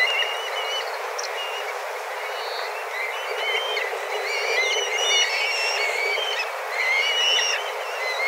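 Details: A large flock of black kites, dozens of birds, flies around calling fiercely while looking for food. Overlapping high whistles and short trills form a busy, unbroken chatter over a steady background hiss.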